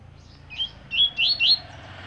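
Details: Double-collared seedeater of the fibra type: a brief series of four high clear whistled notes, rising slightly, with a faint background hum.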